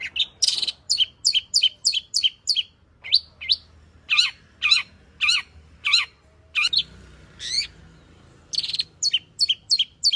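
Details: Long-tailed shrike pouring out a 'full isian' song, used to make other shrikes sing. Loud sharp chirps repeat in quick series, broken by short pauses and a few raspy, drawn-out notes.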